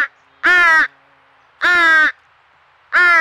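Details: Fledgling crow with its family at a squirrel feeder, Nova Scotia, Canada, crying nonstop: three loud, hoarse, nasal calls, each under half a second, spaced about 1.2 seconds apart.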